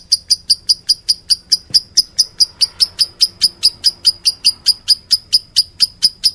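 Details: Lovebird, described as meloloh, giving sharp high chirps in a steady series of about two per second, each a short bright note, with faint low background hum.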